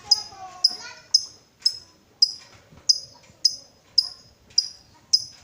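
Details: Lovebird used as a lure to encourage other lovebirds to ngekek: sharp, high, clipped chips repeated roughly twice a second, evenly spaced, with a faint low murmur and soft warbling underneath early on.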